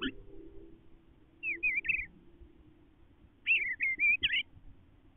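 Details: Resident male Eastern bluebird singing inside a nestbox: two short bursts of soft warbled whistles with slurred rising and falling notes, separated by a pause of over a second, over a low rumbling background.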